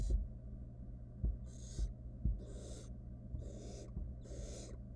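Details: Barn owl nestling, wild, inside a nest box on camera: four breathy hissing screeches spaced about a second apart, with soft low knocks and a constant background hum.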